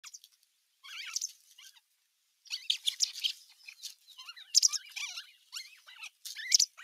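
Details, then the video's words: Older osprey chicks squabbling at nest #1 on 15 June 2023 while an adult watches from the nest edge; high, squeaky chirps and rising whistled peeps in irregular bursts, with brief pauses between flurries. "Isompien poikasten nahistelua"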